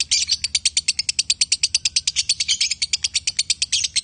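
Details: Lovebirds, male and female, with a continuous machine-gun run of piercing high chirps, evenly spaced and closely packed, in the konslet style.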